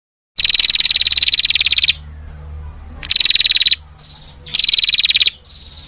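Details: Prinia (perenjak, also called kecingkur), a combination recording for training other birds: three bursts of rapid, evenly pulsed high trilling, each one to one and a half seconds long, with quiet gaps between.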